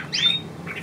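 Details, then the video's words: Zebra finch chick, one of two kept young birds not yet feeding themselves and still begging, recorded 4 June 2023: a short bright call sweeping up then held level and high, with a softer second note after, over low mains hum. "Die Zebrafinken Küken"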